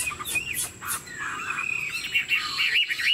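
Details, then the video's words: A caged Chinese Hwamei, said to be 90% pure, that sings with nodding, lion-dance movements. Brief whistled notes are broken by sharp broadband clicks and taps, ending in a quick warbled phrase. "Họa mi thuần 90%, chơi cánh, hót gật gù múa lân"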